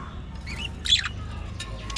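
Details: Budgerigars kept as a colony in an aviary give quick high chirps, a short rising whistle and a brief squawky burst, with a low background hum.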